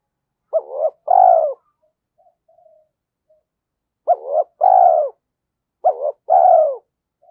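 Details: Decoy spotted dove cooing three times, each phrase a quick double note then a longer, mellow, low coo that droops at the end, with faint soft notes in the long gap after the first phrase.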